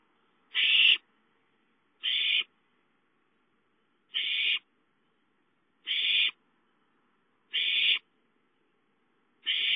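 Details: Owlets calling for food at home on 5-9-13, giving six short, breathy screeching hisses spaced irregularly every 1.5 to 2 seconds over near silence.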